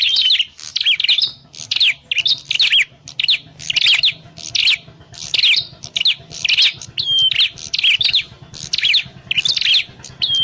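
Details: Grey prinia calls played as a trapping lure: steady series of scratchy chirp bursts, roughly twice a second, with a soft low hum underneath.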